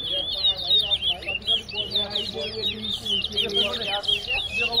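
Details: Competition towa towa at Tuschen bird ground, Guyana, singing Wessequibo-style: a dense, fast chain of sharp whistled notes and quick up-down slurs, with faint background voices.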